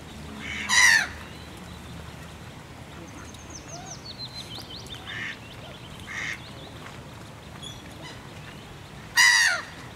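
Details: Common goldeneye ducklings at Tampere Arboretum: two loud, rasping calls about eight seconds apart, with thin, high peeps and faint chirps between them.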